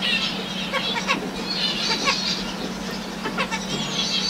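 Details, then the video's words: Male zebra finch singing a courtship song to a female, who shows no interest; a rapid run of buzzy, nasal, harmonic notes and short clicks repeats throughout over a steady low hum. "Zebra Finch courtship song"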